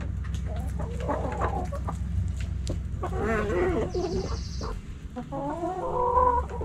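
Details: Backyard hens and roosters pecking and scratching; wavering clucks and a drawn-out cackle in the middle, more clucking at the end, over steady low background rumble.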